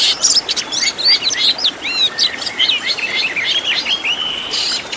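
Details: Oriental magpie-robin fill-in master song: quick series of high chirps, twisting slurred notes and a sustained thin whistle near the end, delivered in a lively, continuous flow.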